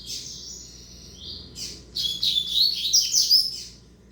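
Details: Double-collared seedeater of tournament singing stock opens with a thin, steady high whistle, then a short pause before a bright, rapid burst of chattering, rising and falling warbled notes.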